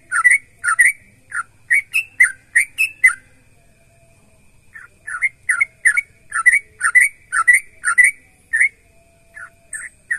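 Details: Energetic sooty-headed bulbul song used to draw other bulbuls into singing: two bursts of quick liquid whistled phrases, each note dipping and rising, separated by a two-second silence.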